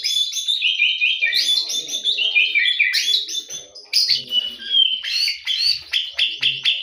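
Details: Morning song of a white-rumped shama, a fast, varied stream of sharp whistles, slurred notes and clicks, delivered continuously with short pulses and no pauses.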